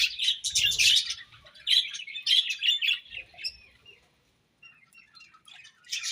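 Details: Budgies produce quick scratchy chirps and warbled notes in a lively opening run, then softer scattered tweets and a near-silent pause before a final burst of chatter.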